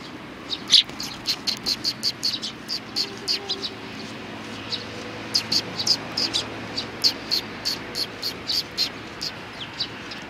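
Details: Sparrows recorded on 29 May 2019, keeping up a steady stream of short high chirps, about two each second, with faint background noise.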